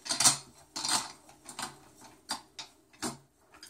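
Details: Clinking and clattering household sounds, like dishes or small mechanisms, with no animal voice heard.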